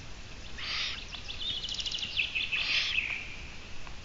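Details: Long-eared owl on a live camera broadcast, 17 June 2017 at 12:14: two hoarse, hissing bursts, each about half a second long, with thin twittering trills from other birds between them.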